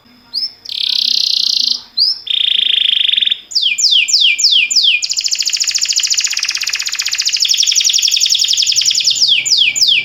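A canary sings a chain of rolling tours: a bright high trill, a lower buzzy roll, then quick descending sweeps merging into a long, rapid, high trill.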